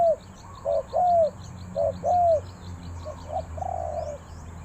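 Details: Spotted dove from Ninh Thuận, Vietnam, three-coo 'kuk hoi' style: clear short-long coo pairs, the long notes arching and falling, then fainter coos and a soft drawn note as the series trails off.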